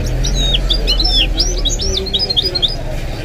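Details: Goldfinch mule, a hybrid of goldfinch and canary kept at home, delivers a quick run of bright, looping whistled notes, while a television-like Arabic sports commentary hums underneath.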